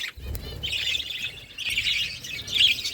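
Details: Budgerigars chattering while eating, with a continuous stream of high, buzzy chirps and warbles, a few sharp clicks, and low background rumble.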